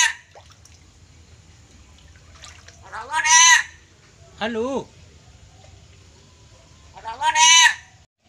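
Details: A pet black-capped lory, trained to mimic speech, says short raspy voice-like phrases such as "Bapak Munir" and "Assalamualaikum" a few seconds apart, its pitch rising and falling like speech, over a faint low hum.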